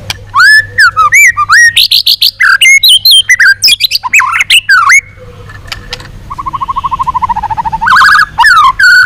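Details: Long-string song of a white-rumped shama, sung to train its voice and provoke rivals: loud clear whistled phrases and harsh notes in quick succession, a pause, then a low rapid rattling trill and more whistles.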